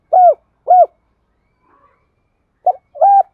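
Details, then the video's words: Spotted dove giving the double-coo style with two trailing end notes, used as a decoy to lure wild doves: two low arched coos, a pause, then a brief broken note and a final arched coo. "Tiếng cu gáy đôi hai hậu gáy gọi dùng tập mồi và kích bổi hiệu quả"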